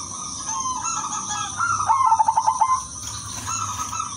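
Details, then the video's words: A female silver zebra dove calls to males with a quick run of soft, rolling cooing notes near the same low pitch, about seven per second, over a steady murmur; used as a lure to prompt other doves to answer. "pekutut BETINA silver memanggil jantan"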